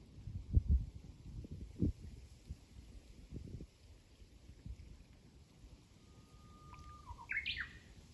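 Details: One Japanese bush warbler song near the end: a sustained level whistle, then a lively burst of climbing and falling notes; before it, thumping low knocks and rumble dominate.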